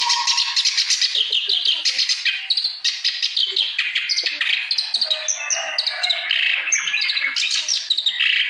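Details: Clamorous reed warbler singing heavily, a bird kept to prompt silent birds into song: a dense, continuous run of harsh chattering and scratchy notes mixed with brief high whistles, fast and varied throughout with no pauses.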